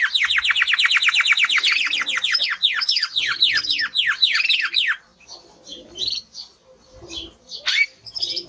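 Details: Strong-singing male timbrado canary: about five seconds of rapidly repeated downslurred whistles that slow slightly, followed by softer, scattered high chirps and a single sweeping note.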